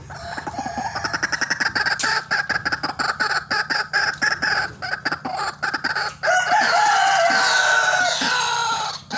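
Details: White-breasted waterhen recording used as a lure for bird trapping, calling busily: a fast run of harsh, clipped croaks, then a loud, sustained, rasping harmonic outburst near the end.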